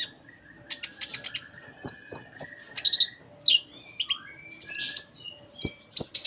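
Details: A Van Hasselt's sunbird, locally konin, in full varied song mixes rapid high ticks, thin whistles, falling slurs and short buzzy trills, with a soft steady tone underneath.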